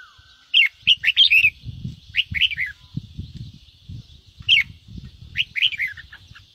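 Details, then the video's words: Red-whiskered bulbul giving bright warbled phrases in scattered bursts, used to rouse birds to sing, over a continuous low rumbling and fluttering noise. "Chào mào ché kích bổi căng lửa/kích chim yếu lửa nhanh ra âm/Tiếng kích chào mào nhanh ché"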